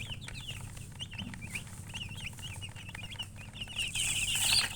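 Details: Chickens chirping beside a hen, giving clear, high, downward-swooping peeps at a lively uneven pace, ending with a rising hiss of rustling noise.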